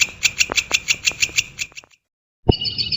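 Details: Brown shrike (Lanius cristatus), known locally as cendet or pentet, in a tutor recording: harsh, evenly spaced ticking notes for nearly two seconds, a sudden silence, then a higher, buzzier phrase begins.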